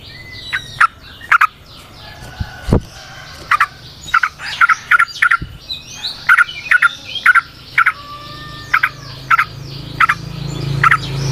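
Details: Yellow-vented bulbul (trucukan) singing in the wild as a natural lure sound: spaced sharp chirps and short chattering bursts, with a faint low rumble and a single soft thump.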